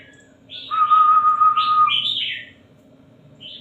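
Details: A caged red-whiskered bulbul sings one long, even, buzzy note with bright upslurred whistles layered above, ending in a short warbled flourish, then a faint chirp, over a constant low background hum.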